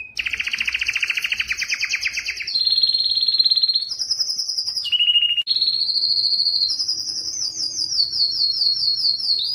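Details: Yellow canary song made of long continuous rolls, a broad buzzy trill giving way to steady high rolling tours that step up and down in pitch with a brief pause midway.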